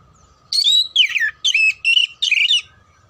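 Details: Oriental magpie-robin (kacer) song, played as training for contest birds: five loud, rich phrases of sweeping whistles and buzzy slurred notes in quick succession, each about a third of a second, over a faint steady hum.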